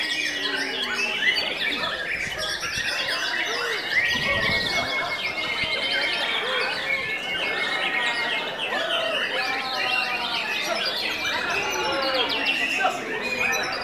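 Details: White-rumped shama singing frantically, its excitement credited to pellet and cricket feed; continuous rapid phrases of pure whistles, trills and harsh chirps for nearly fourteen seconds, densely mixed with other birdsong and a brief low thump.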